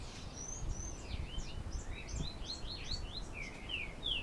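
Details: Diademed tanager singing in the galloping song style ('canto galopeado') at Canoas, Rio Grande do Sul: a rapid, continuous run of short slurred and whistled notes, rising and falling in quick succession and ending in a louder descending note. Low background rumble.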